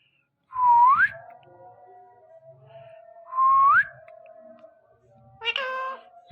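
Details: Ringneck parrot from a talking compilation giving two clear whistles that dip and then sweep upward, a few seconds apart, over a steady low hum, ending with a harmonic meow-like spoken note.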